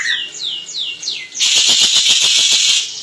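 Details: Crested jay recorded as training material for cage birds: four quick downslurred squeaky notes, then a long, loud, continuous mechanical rattle of rapid pulses lasting the rest of the clip.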